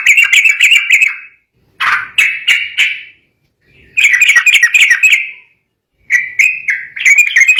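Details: Agitated singing from a sooty-headed bulbul, provoking rivals to reply: rapid chattering warbled phrases, a set of separate sharp notes, then more bubbly runs, with clean silences between bursts.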